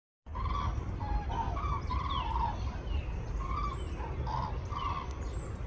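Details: Common cranes in the gardens of Campo del Moro, Madrid, Spain, on 21 February, during spring departure north from wintering grounds; repeated trumpeting, rolling calls from several birds, overlapping in short bursts over steady low-frequency rumble and background noise.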